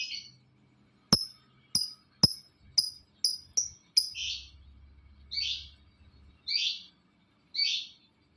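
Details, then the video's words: Lovebird calling to incite other lovebirds to call: crisp clicks paired with short, high notes about every half second, then slower, rougher, squawky notes. "Suaranya Memancing Labet lain Ikut Bunyi"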